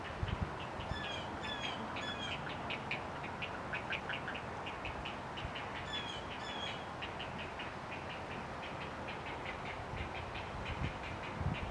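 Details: Juvenile great blue heron begging with rapid, harsh ticking chatter in quick bursts as an adult delivers food by regurgitation, over a steady low rumble of wind.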